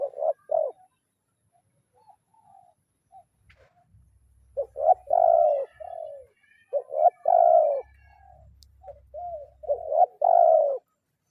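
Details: Spotted dove used as a lure, calling to a rival in kuk 0-1 style. Soft introductory notes lead into three loud coo phrases, each a quick double note followed by a drawn-out hoarse coo, with low rumbling between.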